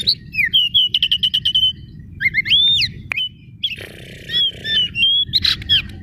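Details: Oriental magpie-robin song as a lure for other magpie-robins, kacer daput style: rapid series of short repeated clicks and whistles, then rising slurred whistles and a rasping buzz, over low background noise.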